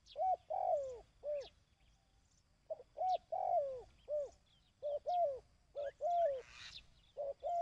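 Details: Dove cooing, recorded for training decoy birds: phrases of a short note followed by longer, slightly falling coos, repeated in bursts with gaps. Faint high chirps sound in the background.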